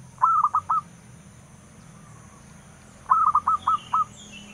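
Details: Local zebra dove, known in Indonesia as perkutut lokal, singing its long song: two phrases of soft cooing notes, a drawn-out first note then a rapid series of short coos, repeated after a three-second pause.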